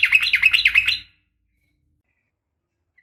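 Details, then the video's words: Yellow-vented bulbul female calling a male in combative ropel style: a one-second burst of bubbly, rolling chatter, then silence and the start of another note. "trucukan gacor SUARA NGGARUDA TARUNG ROPEL"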